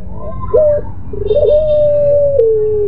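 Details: Caged pelung-type Barbary dove giving its moaning, drawn-out coo: a short wavering note, then a long steady low tone that steps down and fades, in a small indoor room with a low background hum.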